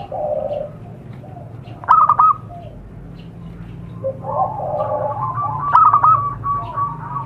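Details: Zebra dove lure sound for wild birds: a soft low coo opens, then a sharp stuttered burst of bright notes, followed by a longer rolling, quavering cooing phrase and another quick staccato run.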